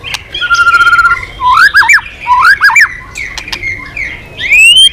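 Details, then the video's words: A white-rumped shama, stirred into hard singing, flicks its tail and changes voices. It gives a short buzzy rattle, then loud looping whistled notes that swoop up and down, and ends on a bright rising whistle. "Chòe Lửa kéo dây yến đảo giọng đập đuôi liên tục. kích Chòe Lửa hót căng"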